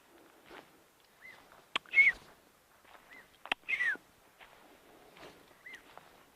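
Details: A Black-backed Puffback (Dryoscopus cubla) calls far from the road at sunset in the Lowveld bush of Rietspruit Game Reserve, South Africa, in August: short whistled notes and sharper buzzy clicks every couple of seconds, with faint rustling and knocks.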